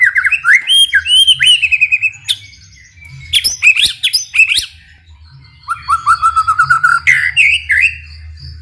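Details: White-rumped shama, kept as a singing bird, in full varied song meant to provoke other shamas into singing: rapid repeated whistled trills and slurred notes around mid-high pitch, bursts separated by short pauses, faint low hum beneath.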